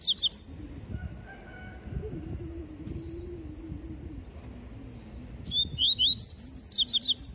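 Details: Double-collared seedeater in the tui tui song style: short bursts of rapid high whistled notes at the start and end, separated by a long stretch of low humming background noise.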